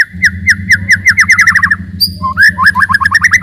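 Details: White-rumped shama song meant to provoke rival birds: a steady run of quick whistled notes, a brief break with a high note, then rapid rising and falling whistles over a low hum.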